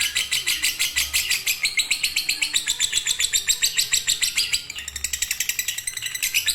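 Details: Lovebird of the fighter type in continuous "konslet" chattering song: rapid high, sharp chirps repeated about three per second, slightly uneven, briefly softer near the five-second mark, with little background noise.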